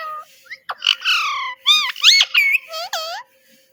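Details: Companion parrot talking, repeating "Mitthu Mitthu"; loud, drawn-out, nasal harmonic syllables with wavering and bending pitch follow one another closely for about three seconds, then stop, with a faint hum behind.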